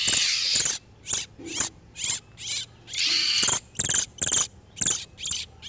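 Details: Lure for wild oriental magpie-robins, with breeding-condition males and females: rapid harsh, crackling bursts, roughly two per second, after a longer rasping opening phrase.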